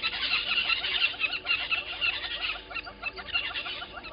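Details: Little grebes at Gowrie dam waterhole, Djuma Game Reserve, Sabi Sand, South Africa (10/08/20): a rapid, high, tittering trill of many quick notes, with other faint calls and background noise underneath.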